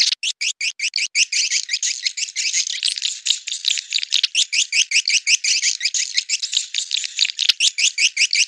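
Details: Edible-nest swiftlet lure call of the clop tanjung style, played to attract swiftlets to nesting houses: dense high chirping twitters, rapid and fairly regular, about two to three notes per second, with nothing else heard.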